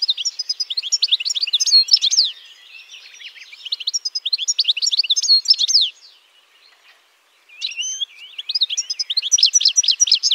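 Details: European goldfinch singing in lively phrases of rapid tinkling twitters and sharp chirps, separated by softer buzzy passages and a short silent pause before another bright burst.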